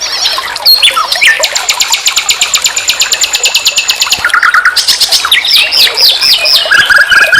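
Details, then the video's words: Nightingale song from a master recording for training songbirds: a long, fast rattle of identical high notes lasting about three seconds, then lower repeated chips, looping whistled phrases and a final series of rising notes. "Masteran SIKATAN LONDO || NIGHTINGALE BIRD, Guru vokal semua burung kicau."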